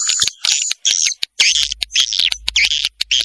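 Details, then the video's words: Swiftlets giving a mating call, recorded as a lure for attracting them: short raspy chirps and trills in quick, uneven bursts separated by brief gaps, with a faint low hum. "SUARA PANGGIL WALET BERKUALITAS | SP PALING RESPON PANGGIL BIRAHI"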